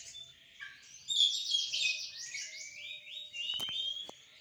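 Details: Kacer song: a fast chattering run of repeated high notes, then descending whistled slurs, with a few sharp clicks near the end.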